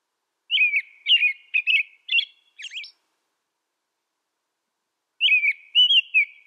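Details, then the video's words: An American robin delivers a burst of five fluted, warbling phrases, the last higher and squeakier. Silence follows, then two more rolling whistled phrases. Nothing else is heard. "American Robin Bird Song Sound"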